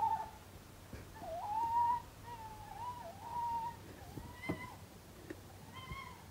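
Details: At least two owls call right outside a narrowboat moored on a canal on a rainy night, giving soft, wavering hoots, long and level with slight quavers, at irregular intervals over a quiet background hum.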